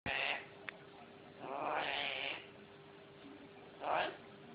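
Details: A pet parrot that likes to sing along when people sing to him gives three harsh, drawn-out squawking phrases, the middle one longest at about a second, with a faint hum behind.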